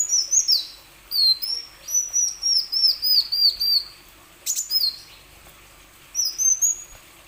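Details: Lure song of a plain sunbird to stir other sunbirds into singing. A long, steady run of high, arched, piping notes about four per second, one sharp click, then a final short burst.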